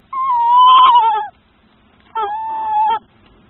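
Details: Tawny owl female on her nest with eggs, calling out after fighting off a young male kestrel that entered the nest; two drawn-out, wavering, mewing calls about a second apart, the first longer and slightly falling.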